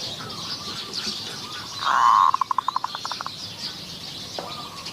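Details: A single Zebra dove phrase recorded while luring wild doves with a decoy in Maha Sarakham, Thailand: a buzzy purring coo that breaks into a dozen quick, evenly spaced clipped notes that slowly fade. High insect noise runs throughout.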